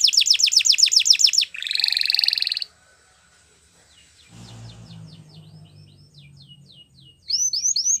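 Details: Canary training song: a fast, sharply repeated downslurred trill and a buzzy rolling tour, a quiet stretch with faint low rumbling and soft scattered notes, then brisk upswept chips return.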